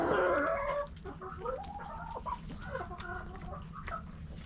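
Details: Chickens in a backyard: a loud, wavering, harmonic squawk opens, then a run of softer, short, uneven clucks over faint background noise.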